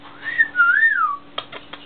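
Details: Pet parrot chatting through a window; a clear whistled phrase rising, dipping and then gliding downward, followed by a few short clicks, with a steady low hum behind.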